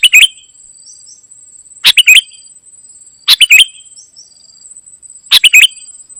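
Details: A golden-fronted leafbird sings vigorously in gacor isian fashion. Four brisk phrases of stacked chirps end in a downward slur, spaced roughly one and a half seconds apart, against a faint continuous high tone.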